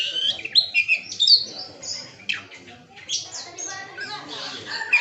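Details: Oriental magpie-robin (kacer) unloading its mimicked 'isian' repertoire, with other birds audible: high, varied warbling of sharp whistles, buzzy chatter and quick trills, delivered in short bursts with brief pauses.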